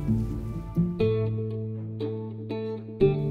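Plucked acoustic guitar music with strummed chords and low bass notes, no animal voices.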